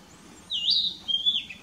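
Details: Single narcissus flycatcher song phrase from Mukaiyama Park in Esashi, Oshu, Japan, 12 May 2017, recorded with a Nikon COOLPIX P900: a bright whistled note swooping up, then a second level whistle ending in a trill.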